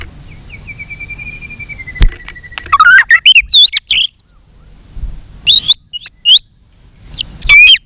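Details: White-rumped shama in fighting song, tail flicking, singing many voices. It opens with a long, steady whistle that slowly falls, then breaks into loud, rapid warbled phrases and high slurred notes, with clicks between bursts.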